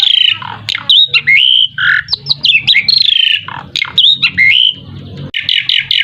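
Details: Loud Asian pied starling song meant to provoke other birds into answering: harsh squawks mixed with slurred whistles and rapid chattering bursts, nearly continuous, with a low background hum.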